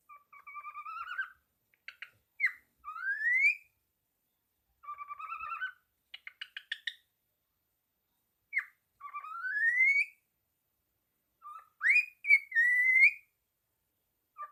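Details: Parrot singing as it wags its tail and taps: repeated phrases of doubled wavering whistles, quick buzzy rattles and rising whistled slurs, cycling several times with short gaps.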